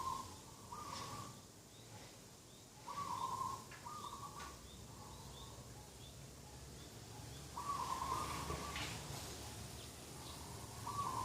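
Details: Dove at a garden edge on the morning of 2 October 2021 repeating level coos in two bouts separated by a pause, while other birds give small chirps in the background.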